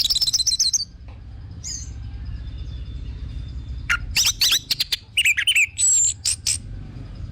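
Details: Orange-headed thrush used as a lure bird, pouring out rapid high twittering at first, a pause with a faint thin whistle, then a burst of sharp chirps, slurred whistles and a long high note.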